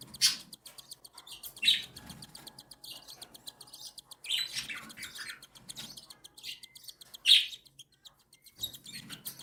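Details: Begging from three captive cockatiel chicks aged one and seven days as the mother feeds them; a steady rapid ticking rasp, broken by sharp louder squeaky bursts about every one to three seconds.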